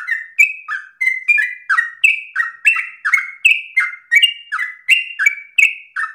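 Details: Long-breathed, rapid song of a yellow-vented bulbul, offered as a tutor for untrained birds. Liquid chirping notes tumble in quick, slightly irregular pairs, some rising and some dipping, in a clear, quiet setting.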